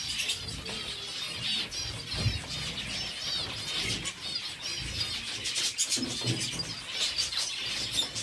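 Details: Zebra finches kept in captivity feeding on seeds, giving many rapid, high-pitched curved chirps that overlap into a continuous busy chatter, over low rustling and bumping noises.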